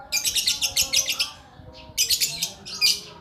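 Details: Lakbet bird singing rapid trains of bright, scratchy high chirps, a fast series then a short pause and two more quick bursts, all over quiet low background hum.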